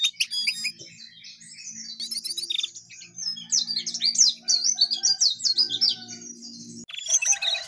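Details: Energetic sooty-headed bulbul song: a long stream of quick chirps and buzzy, warbling trills, building into fast, repeated sweeping notes midway before a brief pause and a final burst of twitters; faint low hum underneath.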